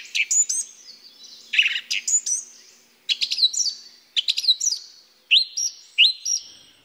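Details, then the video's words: A Song Thrush sings loud, clear whistled phrases, each repeated two or three times in quick succession with brief pauses between groups; this constant repetition is a key identifying trait. "det där ständiga upprepandet, det är ett riktigt bra kännetecken på taltrast."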